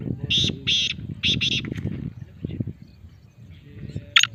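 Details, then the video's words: Male black francolin delivers four harsh, grating notes in two pairs, then quieter scratchy sounds and one sharp final note, over low background chatter. "Kala Teetar Bolna Shuru | نہ بولنے والا تیتر بھی بولے گا"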